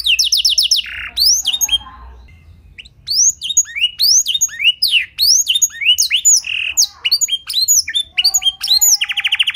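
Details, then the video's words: Blackthroat-style fill-in from a clear-voiced canary: opens with a quick pulsed trill, falls quiet briefly, then rising whistled sweeps and chirps, ending in another rapid buzzy trill. "Pancingan & Masteran Burung Kenari Isian Blackthroat Suara Jernih! Bakal Langsung Ikut Gacor"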